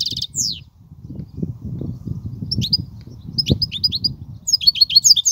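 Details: Goldfinch song, Kubiya style, in three bursts: a brief downward slur at the start, then clusters of sharp, falling chirps midway and a faster twittering run at the end, with low rumbling noise underneath.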